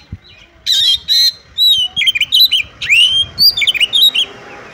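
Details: Female Oriental magpie-robin calling the male so he sings, meant to excite other magpie-robins: two harsh rasping bursts, then a lively run of looping, rising and falling whistles and chirps.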